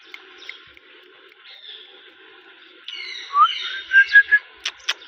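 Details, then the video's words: Rose-ringed parakeet, a pet ringneck, giving a few short bright chirps and whistled notes in the last two seconds after a quiet start, over a steady background hum. "Mithu Ringneck Parrot chirping Sound"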